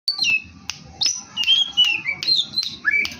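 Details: Oriental magpie-robin (kacer) singing actively in the cetekan style with many varied fill-in phrases: sharp clicks alternating with clear whistled notes that slide and drop, with a steady low hum beneath.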